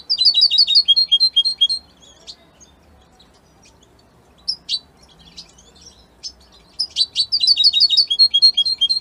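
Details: European goldfinch in Italy sings quick sequences of bright, high twittering notes, pauses with only isolated chirps, then breaks into another fast, tinkling phrase.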